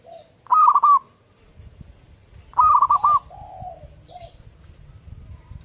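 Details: A zebra dove singing actively gives two clipped, rolling coo phrases about two seconds apart, with softer low hoots after them and faint background rustle.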